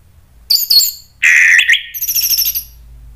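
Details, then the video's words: Orange-headed thrush, caged, in an agitated provoking song: two high sharp notes, a harsh rising buzzy phrase, then a fast high trill. "ANIS MERAH spontan EMOSI NRATAK terus NGEPLONG ¦ PANCINGAN AM"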